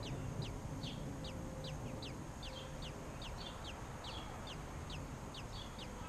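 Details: Robin chicks at feeding time, parents bringing food: a quick series of thin, high, falling chirps in loose pairs and runs, some slightly buzzy, set against continuous low-pitched background rumble.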